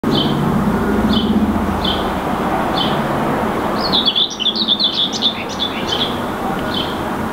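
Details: A Common whitethroat (Sylvia communis) perched in a tree in Helsinki, Finland, in May 2019 sings a brief, scratchy, hurried warble after a few short high notes under a second apart, over a steady low traffic rumble.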